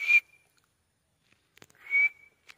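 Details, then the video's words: A white francolin (white teetar) gives two loud, shrill, slightly raspy whistled notes, about two seconds apart, each with a thin sustained tone, with a few faint clicks between them. "white teetar voice"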